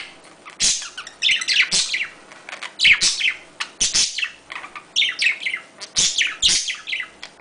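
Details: Budgerigars give mating calls, chattering in a fast, scratchy stream of high chirps, clicks and warbles, with brief pauses between bursts.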